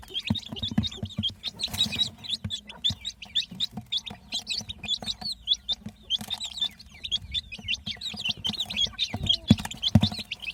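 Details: Baby chicks chirping continuously: rapid, high, slurred peeps overlapping in a busy chorus, each note a short upward or downward flick, with soft low thumps and background rumble underneath.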